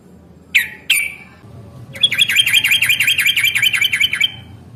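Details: Yellow-vented bulbul in fighting mood, recording used as a lure to get birds answering; two sharp separate notes, then a fast rattling, wavering trill of about two seconds before stopping.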